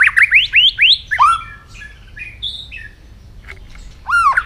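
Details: White-rumped shama morning voice-training song: a quick run of upward-sweeping whistles, then softer fluting notes and a final loud looping whistle.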